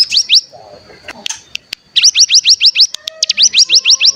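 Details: Lure song of a mountain tailorbird (cigun): short bursts of quick, upward-slurred high whistles, separated by a pause filled with faint clicks and a low murmur.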